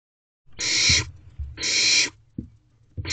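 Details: Barn owl owlets in a nest box at 2:17 am on 18 May 2023, one owlet preening a sibling; two long, harsh, breathy hissing screeches of about half a second each, then a third begins, with soft low thumps and scuffles between.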